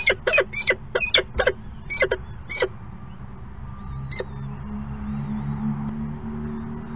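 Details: Falcon chicks at their second morning feeding, begging with harsh, rasping calls repeated in a quick burst of about eight over nearly three seconds, then one more isolated call; faint background hum follows.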